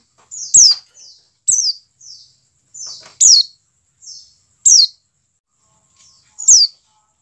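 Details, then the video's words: White-eye (pleci dakun) call played to prompt captive birds to open their beaks and sing: sharp, very high notes sweeping steeply downward, repeated about every 1.5 seconds, each followed by a softer buzzy note. "CALL PLECI DAKUN cepat menjadikan pleci buka paruh"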